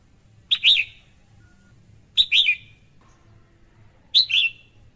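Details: Three calls from a female red-whiskered bulbul, spaced about two seconds apart. Each is a snapped click followed by a twisting, slurred chirp with a short fading tail, over a soft background hum.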